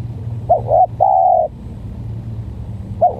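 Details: Spotted dove, one of a stuttering-style decoy and a strange-voiced bird pitted against each other: a brief quavering double coo, then a sustained flat hoot, and a fresh phrase starting after a pause. Steady low rumble behind.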